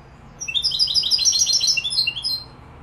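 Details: Malaga-style goldfinch song from Morocco: a burst of high, tightly packed tinkling and twittering notes, about two seconds long, with a faint background hum.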